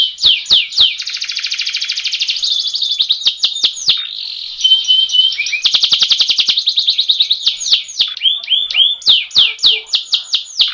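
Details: Canary singing a rolling tutor song meant to spur birds into full song: long buzzy trills of fast pulses alternate with bursts of sharp descending whistles, with a brief clear tone in the middle.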